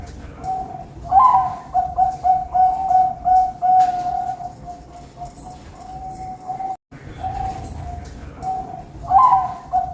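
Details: Ringed zebra dove kept at a bird farm in Pamekasan, Madura, cooing a song of soft, mellow hooting notes strung in a steady rhythm, with a louder trill-like opening, against a constant background hiss.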